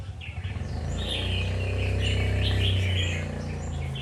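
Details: Red-whiskered bulbul song of quick, chattering warbled notes strung into a continuous phrase, heard over a strong droning low hum throughout.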